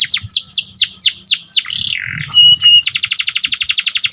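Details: Panda canary in full, vigorous (gacor) song for raising excitement: a string of descending slurred whistles, a low wavering warble, a brief pure whistle, then a fast steady rattling trill.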